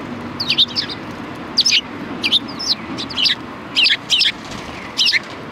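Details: Sparrows at a Tenmangu shrine, Japan, 4 March 2020: loud, clear chirps in doubled or tripled bursts roughly every half second to second, crisp and high, over faint low background hum.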